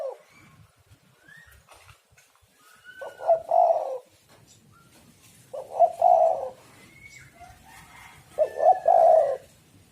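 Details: Spotted dove lure cooing: three low, burred coo phrases roughly every two and a half seconds, with thin rising chirps of other birds scattered between them.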